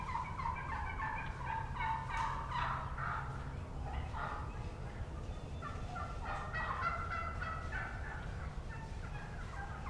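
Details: Wild turkey jakes (juvenile gobblers) yelping on the ground beneath a roosted young hen, 30 March 2017, in a steady run of coarse, nasal notes, several birds overlapping; the hen gives soft tree yelps, other hens yelp in background, low rumble.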